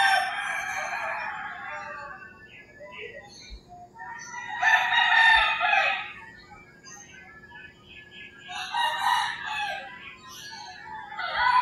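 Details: Dawn chorus of roosters in rural Philippines, several overlapping harsh crows near and far, repeated throughout, with a few faint bird notes between.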